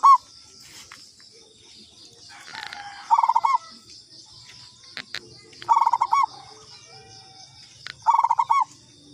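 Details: Local katuranggan zebra dove giving a lure call: three bursts of rapid staccato cooing notes, each about half a second, spaced roughly every two and a half seconds, over a steady high hiss and faint chirps.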